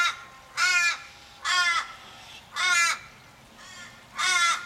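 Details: Australian ravens at Kellyville, Sydney, on 1 July 2012, gathered around an injured flockmate and calling in distress: five loud, harsh, drawn-out caws about a second apart, each wavering and sagging at the end.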